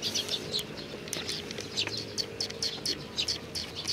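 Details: Eurasian tree sparrows on a bench, coming to be fed, recorded 3 June 2020; a dense run of short high chirps and tweets, several overlapping, with a faint low hum underneath.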